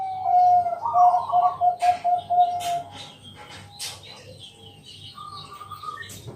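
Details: Bangkok zebra dove singing at night to stir other doves into song: a burry opening followed by a quick string of short coos, then rustling, other bird chirps and a low pulsing hum.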